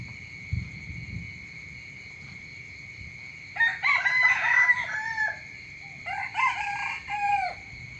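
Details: Rooster crow heard in the early morning: two loud harmonic crows, the first long and wavering, the second shorter and falling, over continuous high-pitched insect buzzing and a few faint knocks.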